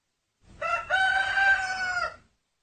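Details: Single rooster crow, a loud harmonic call starting with a brief rough note, then a sustained, slightly rising tone held for about a second and a half before ending abruptly.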